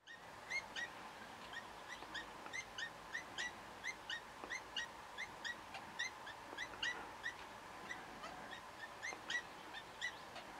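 European green woodpecker giving loud, ringing, slightly nasal notes in quick, uneven runs, two or three a second, over a faint steady background hiss.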